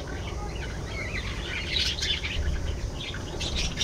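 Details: Budgies chirp and twitter in overlapping scratchy phrases that swell louder in the middle and again at the end, with a low rumbling background.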